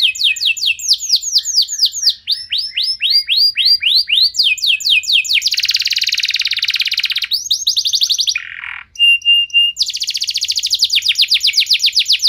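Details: Long canary song used to make other canaries sing: continuous fast sweeping whistled trills, a dense buzzing roll lasting several seconds, a brief low rasp, then more rapid trills.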